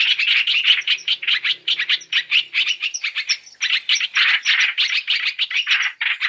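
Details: Three-in-one trapping lure of Chinese hwamei: choppy bursts of scratchy notes in uneven groups, punctuated by brief thin high whistled accents.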